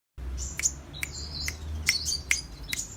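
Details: Sunbird, locally called kolibri raja or king konin, singing actively in the clicking cetrekan style: sharp dry clicks about every half second mixed with thin, high buzzy trills. A low background hum sits underneath.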